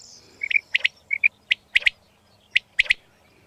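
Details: Recorded quail calls used as a lure for netting quails: quick clusters of bright, high chirps with sharp cracking double notes, repeated in rapid bursts over a faint background hiss.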